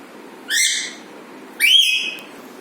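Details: Pet Alexandrine parakeet making funny sounds: two short, loud, harsh squawks about a second apart, the second with a rising, whistled start, over a faint background hiss.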